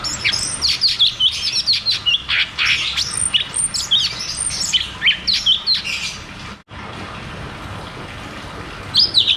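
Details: Cucak cungkok song in ngeroll tembak style, a lure for caged birds gone quiet: dense, rapid high chirps and warbles for six seconds, a short cut, then near quiet with a final chirp.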